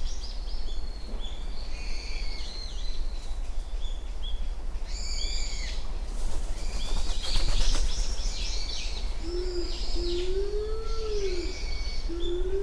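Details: Low, swelling moan of a Japanese wood pigeon near the end, rising then falling, recorded early morning on 29 January 2024 at Uwashima, Kaminoseki; the earlier part is filled with thin, high chirps and twitters from other birds.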